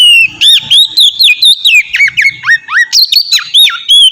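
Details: Oriental magpie-robin, loud clear song used as a lure to get other magpie-robins singing: rapid run of whistled, sharply swooping and trilled notes, about four per second, continuous and varied.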